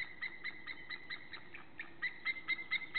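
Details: White-tailed eagles on 1 April 2014, one sitting on the nest and the other nearby, both calling: a quiet, steady series of short, sharp yelping notes, roughly two per second, growing slightly louder toward the end.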